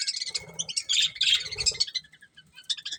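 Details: Budgie breeding pair chirping in quick warbling chatter, bright squeaky notes tumbling over one another with a faint steady whistle beneath.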